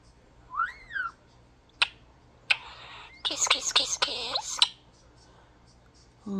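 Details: Indoor pet European starling, a talking bird that imitates its owner's kisses: a rising-falling whistle, a few sharp clicks, then a rapid burst of loud smacking kiss-like clicks and rattles, ending with a brief low voice.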